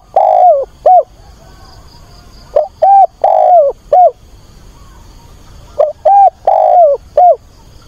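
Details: Spotted dove used as a decoy, cooing on a weekend, 24 August, to call a mate; three hollow four-note phrases come about every three seconds, each with a long sliding third note and a clipped final coo.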